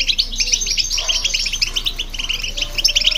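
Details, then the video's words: Goldfinch with a hybrid songbird, their song aimed at rousing other birds: busy, chattering high twitters and buzzy trills running throughout, steady in loudness. "Goldfinch And The Hybrid To Hear And irritate The Birds"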